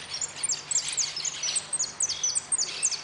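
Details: Goldfinch singing at an interclub cup closing contest, 04-03-18: rapid high, thin notes sliding sharply downward, delivered in quick bursts and short runs with brief gaps, over faint background hiss.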